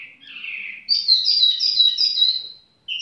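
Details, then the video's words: Short tiểu mi bird song: a soft low warble, then a loud, high, rapidly pulsing trill lasting nearly two seconds, and a final clear note. "chim tiểu mi chơi lai rai"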